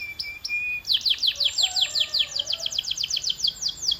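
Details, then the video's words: Canary song used for training: two short high chips and a thin whistle, then a rapid run of repeated downward-slurred notes, about four per second. "This Sound Will Make Your Canary the LOUDEST in the Neighborhood"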